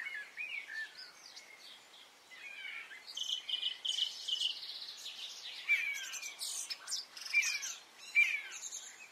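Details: Spring morning in Brittany with several birds: soft slurred whistles early, then a dense patch of rapid buzzy trills and chatter, and a few sharp rising whistled notes near the end.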